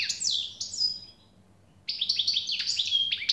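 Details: Generous song of a European goldfinch: high swooping twitters, a silent gap of about a second, then a rapid jangling series of bright chirps and slurred notes over a soft low hum.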